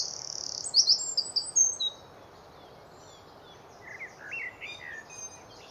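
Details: Eurasian wren singing from a tree early on a spring morning in Hampshire, UK, recorded on a Nikon D500: a loud burst of high, rapid notes for about a second, then fainter lower twittering phrases after a pause.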